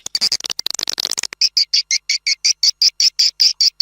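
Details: Swiftlet calls from Malaysia or Indonesia, played to attract a flock for swiftlet farming. A rapid jumble of high twitters gives way to a steady series of clipped, two-toned chirps, about three per second.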